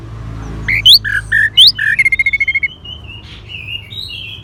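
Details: Orange-headed thrush song of quick alternating low and rising high whistles, then a rapid series of about ten even, clipped notes, trailing into quiet warbles.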